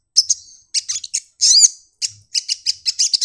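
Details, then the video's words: Sunbird in wing-opening 'nyepion' song: a few sharp high chips, then a longer buzzy, drawn-out note, followed by a quick series of clipped shrill notes. "burung kolibri madu bunyi buka sayap nyepion"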